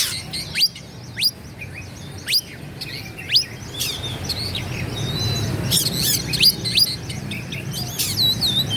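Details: Oriental magpie-robin song used to provoke rival birds: a series of sharp, fast upward-sweeping whistles repeated about once a second, followed by denser, varied chirps and squeaky notes over low background hum.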